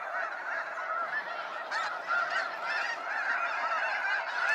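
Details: Sunset fly-out of snow geese at Sacramento National Wildlife Refuge, crowded overlapping honks forming an unbroken clamor, with some louder bursts of yelping partway through.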